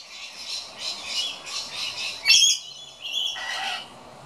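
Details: A scaly-breasted lorikeet complains at an empty birdfeeder: soft, pulsing buzzy chatter repeated about every third of a second, broken by a sharp shrill screech and a longer harsh drawn-out note near the end.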